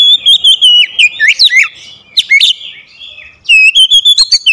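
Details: Oriental magpie-robin (kacer) as a lure bird, delivering bursts of rapid whistled syllables with steep swoops. A quiet gap of about a second separates two loud, fast sequences of clipped notes.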